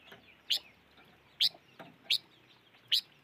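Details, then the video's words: Five-coloured bird uttering four sharp, bright chirps roughly every half to one second over a soft hiss of background noise. "Suab noog rheeb quaj chim ngũ sắc"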